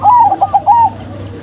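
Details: Zebra doves, a local-type female and a crossbred male: a quick run of soft, mellow cooing notes in short rising-and-falling phrases, closing on a longer drawn-out coo, over a steady low hum.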